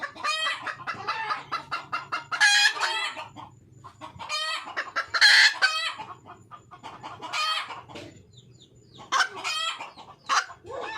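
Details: Wild red junglefowl hen calling for a male: fast runs of short clucks broken by loud, harsh, broadband squawks at about 2.5 and 5 seconds, then more clucking and squawks near the end.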